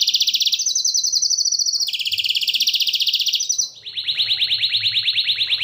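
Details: Canary singing a series of steady, high trilled rolls, each held for over a second, dropping in pitch from one roll to the next and ending in a long, rapidly pulsed, slightly falling trill.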